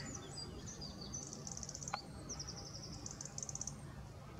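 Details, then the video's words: European goldfinches feeding and singing, likely on alder seeds in winter: high, tinkling twitters and quick rattling trills in bright bursts, over a steady low rumble of background noise. "Goldfinches eating singing / Putters eten en zingen"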